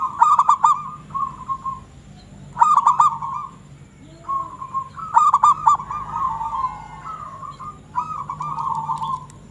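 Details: Local zebra dove singing actively: cooing phrases about every 2.5 seconds, each opening with a bright rapid stuttering trill and ending in a lower, sustained, wavering coo.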